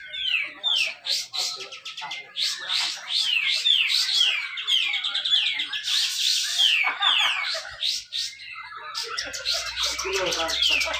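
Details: Dense competition song of a grey-cheeked bulbul in Malinau, North Kalimantan, Indonesia, played as a lure for birds that rarely sing. Quick descending whistles tumble together in a continuous rich warble, with a brief noisy burst midway.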